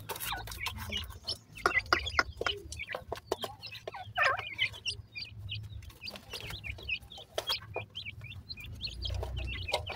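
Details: Black francolin chicks, the baby dakhni teetar, at play: many short hooked peeps in an uneven stream, mixed with clicks, taps and a low rumbling background.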